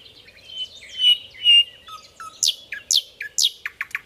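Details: Singing nightingale on a training recording for other birds: gentle slurred whistles, two low flat notes, three loud downsweeping notes, and a quick run of clipped repeated notes.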